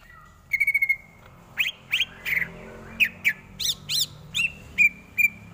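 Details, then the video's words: Greater green leafbird singing a training tutor song: a quick trill, then separate buzzy upslurred notes and high clear whistles spaced about half a second apart, ending on a steady whistled tone. "Lagunya Masuk ini Bos, Enak buat masteran"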